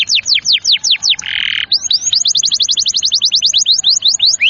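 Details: Canary song meant to stimulate young, stalled or reluctant canaries into singing: rapid trills of high, falling swept notes, interrupted by one buzzy burst, then a faster rolling trill.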